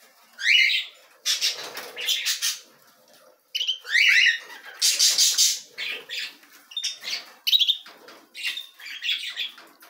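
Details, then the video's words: Canary chicks being fed by their parents, giving harsh, buzzy, high-pitched begging bursts in repeated clusters, mixed with short rising chirps and brief pauses between bouts. "Canários "Alimentando os filhotes"."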